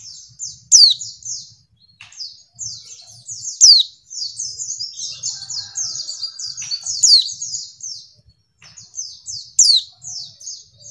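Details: Lure call of a female white-eye, meant to make males respond quickly as in the wild. Rapid high chattering comes in runs, with four sharp descending chirps rising above it over eleven seconds.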